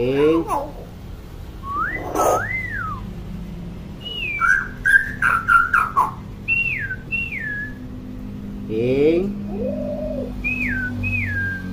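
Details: Chatty hill myna mixing looping whistles, a burst of rapid clicking chatter and paired falling whistles, with a nasal rising call near the end.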